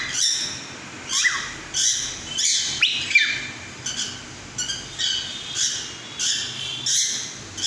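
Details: Cockatiel singing what is described as a mating call: a run of high, harsh, buzzy notes mixed with brief rising whistled sweeps, the bursts coming roughly every half second to second, about a dozen in all, over a quiet background.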